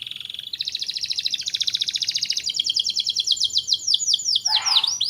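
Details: Canary singing to stimulate young birds into song: a long buzzy trill that speeds into clearer repeated chirps, ending with a lower, rough descending note.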